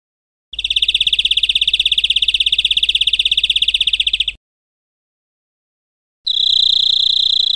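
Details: European greenfinch song on a training recording for caged birds: an almost four-second dense, fast trill of high notes, a pause, then a steadier, smoother high trill.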